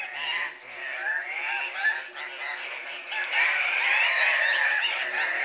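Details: At a lek, male Andean cock-of-the-rock display to females with many overlapping calls: a dense, harsh chorus of wavering nasal squawks, quickly repeated and growing louder and more continuous toward the end.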